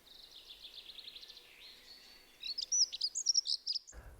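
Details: Dunnock song, a medium-length ditty likened to the first part of a wren's song but less powerful: quick, high, thin warbling jingle, faint at first, then brighter scratchy notes, ending abruptly.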